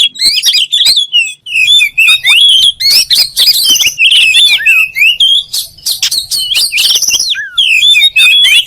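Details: Oriental magpie-robin (kacer) singing, a voice meant to set other kacer birds singing at once; loud, fast medley of whistled rising and falling notes, buzzy trills and sharp chips, phrases running together almost without pause.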